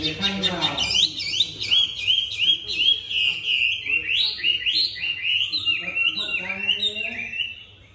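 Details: Newly arrived Chinese hwamei, turning its rump while singing in a supple, sweet voice: a long run of rapid looping whistled notes, rising and falling, repeated several times a second, fading out near the end.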